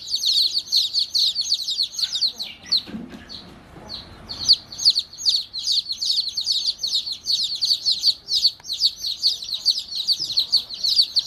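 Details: Angry baby chicks chirping in a dense chorus of high, falling peeps. A brief scuffling noise interrupts the chorus partway through before the peeping resumes.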